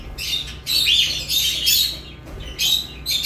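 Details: Lovebird chirps: three loud bursts of shrill, raspy chatter with short gaps between them, over a constant low hum.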